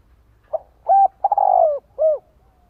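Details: A spotted dove's lure call to draw in and excite other doves, one phrase of a short note, a steady coo, a long trilling purr falling in pitch and a rounded final coo, with soft low rumble behind.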